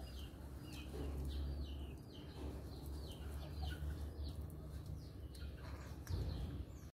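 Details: Maritaca parrots feeding in a guava tree at Pirassununga, São Paulo, Brazil, on 2 October 2023: short, downward-slurred calls repeated about twice a second, fairly faint over a steady low rumble.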